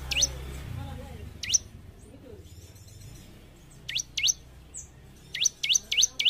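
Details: Bar-winged prinia (ciblek), a gacor bird used to train caged group-kept birds to sing quickly: a few scattered rising, sharply swept chirps, then a quick cluster of four similar notes at the end.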